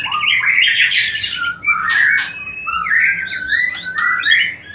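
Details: White-rumped shama song meant to trigger mating: loud, rich warbling whistles and buzzy notes flowing almost without pause.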